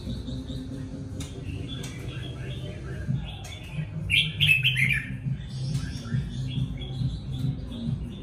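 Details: A red-whiskered bulbul sings a fine song: one rich, quick warbled phrase in the middle, then softer notes, against constant low background rumble.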